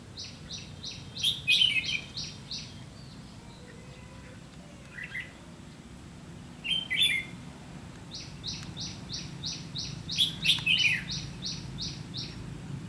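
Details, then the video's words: Red-whiskered bulbul used in trapping with a decoy bird; bright warbled phrases alternate with runs of evenly spaced short rising notes, about three or four a second, against a constant low background hum. "Bẫy chào mào lăng săng ché-cánh"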